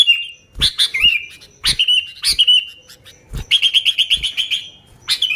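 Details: Sooty-headed bulbul singing busily, with no other birds' songs mixed in, used to lure bulbuls: scattered sharp chirps with clicks, then a rapid run of about ten even, bright notes, then a final chirp.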